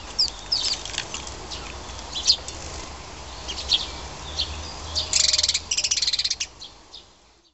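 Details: Sparrow nestling begging while being fed: scattered thin high chirps, then a loud rapid burst of repeated sharp high notes near the end, with rustling in the background.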